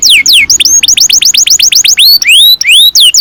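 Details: Canary song used as a training model for young birds: clear whistled notes repeatedly sweeping down, about five per second, then longer rising and falling slurred whistles, loud and bright with no other sounds.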